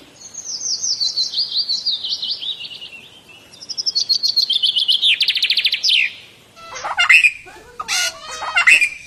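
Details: A shalik (common myna) from Bangladesh makes a wavering chatter that falls in pitch, then a rising buzzy pulsed rattle. Several harsh, squawking notes with abrupt pitch jumps close the clip.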